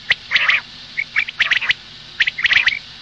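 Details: Female common quail calling, recorded for the morning: short harsh bursts with tonal chirps, grouped into clusters of several quick notes separated by brief pauses.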